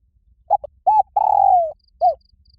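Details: Spotted dove calling rivals to fight, loud and resonant. Low hollow phrase of a doubled short coo, a humped note, a long stretched coo drifting downward and a last curved coo, with faint cricket chirps after.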